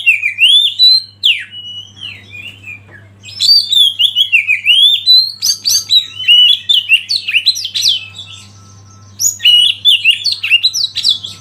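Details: Oriental magpie-robin masteran recording: long, loud bursts of rich, fast-changing whistles and trills, with rising and falling slurs separated by short quiet gaps, over a faint low hum.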